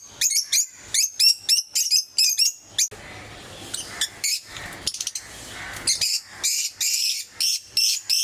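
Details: Pet lovebirds in various mutations repeating shrill, sharp chirps roughly once a second, pausing briefly amid softer scratchy sounds before the strident calling resumes, with a low hum behind.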